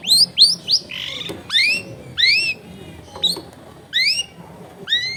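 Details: Long-tailed shrike song in 'full isian' style, meant to make silent shrikes open their beaks and answer: bright upward-slurred whistles repeated in separated bursts, with scratchy chatter between them.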